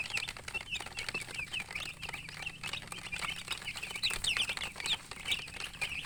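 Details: Baby chickens chirp as a group, giving continuous high peeps and quick upslurred notes, some sharper and louder near the end, mixed with frequent clicking and scratching sounds.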